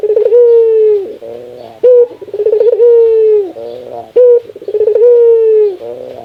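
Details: Barbary dove with its laughing call, said to be its rarest sound: long steady hoots slipping lower at the end, each broken by a rasping chuckle and a short sharp coo, repeated continuously.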